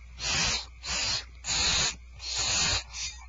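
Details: Barn owls at Starr Ranch as dinner is served, 2/1/12. Loud rasping hisses of about half a second, five in quick succession, separated by brief pauses.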